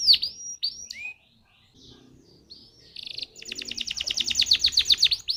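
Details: Canary song played as a lure to get other canaries singing: scattered whistled slurs and a brief pause, then a buzzy burst and a long rapid rolling trill of bright repeated notes.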